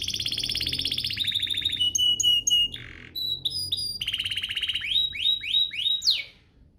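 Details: Canary singing to trigger other canaries: fast rattling trills, repeated clear whistled notes, a buzzy burst, then a run of rising sweeping whistles ending in a sharp upslur.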